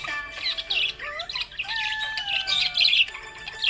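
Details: Contented budgerigar with rapid twittering chatter and a few rising whistled notes, accompanied by music with long held tones.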